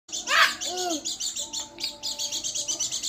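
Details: Pleci dakun garut white-eye singing rapid high chirps in quick repeated bursts, briefly overlapped at the start by a low voice-like harmonic sound and faint lower tones.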